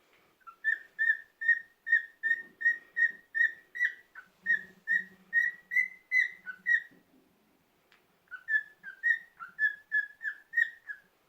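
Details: Indoor pet cockatiel on a rest day giving a long, fast run of evenly repeated whistled notes, slightly rising midway, pausing briefly, then resuming, with a faint low murmur underneath.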